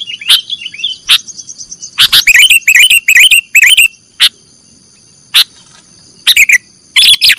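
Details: Sooty-headed bulbul, nggaruda style, recorded for training cage birds: looping chirped phrases in clusters, separated by isolated loud clicks and pauses, with a steady thin electronic tone behind.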